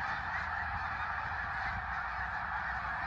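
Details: Short stretch of a Snow Goose flock in flight over the Eastern Shore: a dense, steady clamour of overlapping honks with a soft low rumble beneath.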